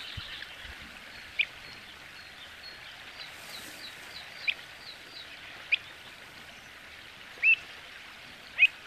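Pied avocet giving five sharp, fluty 'kluit' notes at uneven intervals of one to three seconds, over a soft hiss of distant birds and moving water.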